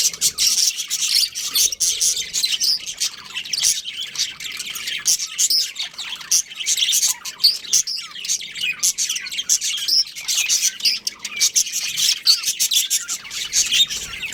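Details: Breeding pair of pet budgerigars keeping up long, continuous warbling chatter, dense high chirps, clicks and squeaky notes running together for the whole stretch.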